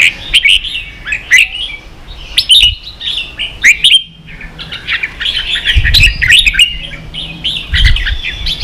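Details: Red-whiskered bulbul, ché-style song used as training for young birds. Rich whistled phrases tumble in rapid runs, then pause and resume with denser chattering notes, over some low rumbling background.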